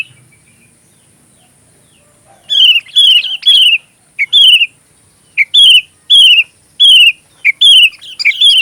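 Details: Song of a sooty-headed bulbul kept as fill material for training magpie robins: after two quiet seconds, loud, rich whistled notes with a slight buzz are repeated in short bursts, roughly one or two per second, over a steady faint high hiss.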